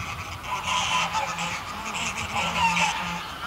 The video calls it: Greylag Goose. CU Flight Calls From A Small Flock.